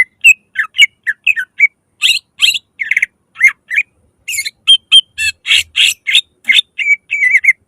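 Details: Greater green leafbird singing loudly as a lure for other leafbirds, continuous fast medley of harsh buzzy bursts, chirps and slurred whistles with varied, irregular rhythm.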